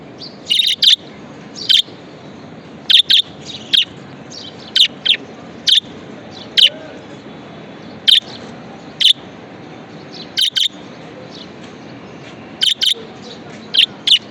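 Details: Budgerigar pet calling steadily with short harsh chirps, often in pairs, at irregular intervals of one to two seconds over a quiet background.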